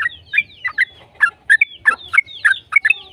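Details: Yellow-vented bulbul song for prompting other bulbuls to sing: a short, bright burst of gurgling, slurred notes, about three every second, some with clear whistled overtones.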